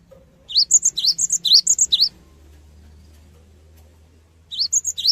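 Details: Cinereous tit in full song, played to prompt other birds to respond: a fast, uneven run of high upward-sweeping whistles mixed with shorter level notes, a long gap, then the phrase starting again, over a faint low hum.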